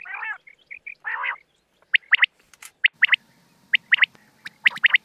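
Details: Rain quail on a lure recording used for hunting: two harsh rasping bursts at the start, then crisp paired metallic notes repeated roughly once a second over a low rumble.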